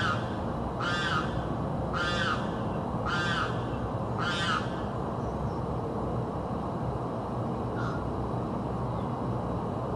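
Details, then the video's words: South Florida bird that keeps screaming day and night: four harsh harmonic screams at about one-second intervals, then a pause and a single faint, distant scream, over steady low noise. "screaming bird"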